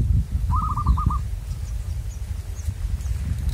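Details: Local zebra dove in the wild, during bird luring, gives a single rapid phrase of six bright, evenly spaced cooing notes, followed by low rumbling ambient noise and faint distant chirps.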